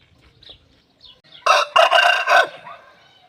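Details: Aseel rooster crowing for a hen: faint squeaky notes lead into a loud, harsh, broken crow lasting about one second, then quiet.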